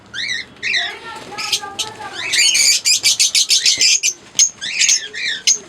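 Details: Caged pair of green Fischer's lovebirds: sharp chevron-shaped chirps, then a fast run of shrill clipped notes, with faint low background hum.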